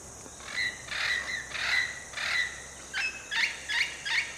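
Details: Red-lored amazon calling in Costa Rica, filmed on trips in January and October 2021. Eight harsh, squawking notes come in quick irregular succession over about four seconds. A steady high hiss of insects runs underneath.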